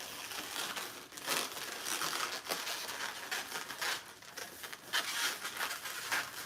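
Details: Crumpling and crinkling sounds, like plastic or paper being handled indoors, come in uneven bursts with no animal voice.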